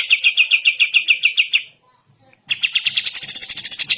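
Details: Sooty-headed bulbul singing vigorously in the morning, a kapas tembak master recording: a quick train of piercing repeated notes, a short hush with faint soft whistles, then a brighter, buzzier rapid series.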